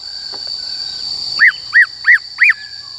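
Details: Black-throated laughingthrush in wild-style song used to train young and wild-caught birds: after a quiet start, four loud arched whistles about a third of a second apart, over a steady high-pitched whine.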